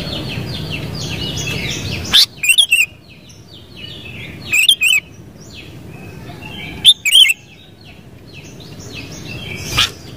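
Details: Sooty-headed bulbul giving three loud bursts of quick double whistled notes a couple of seconds apart, separated by quiet stretches filled with faint twittering from other birds.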